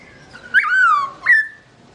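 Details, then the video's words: Two loud whistles from a black-throated laughingthrush (Garrulax chinensis) singing while its owner is away: a long note sliding downward, then a short rising one. "Bird Garrulax chinensis: Birdsong Chirping Melodious When The Owner Is Away"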